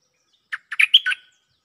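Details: Cream-vented bulbul lure song used to answer a resident bird: a short bubbly phrase of four or five quick chirpy notes, the last ones more whistled and rising.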